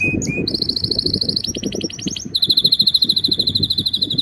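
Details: Canary singing in breeding season to win a female: two short whistles, then long pulsed rolling trills shifting pitch, the last a rapid bubbling roll, with faint low rumbling noise beneath.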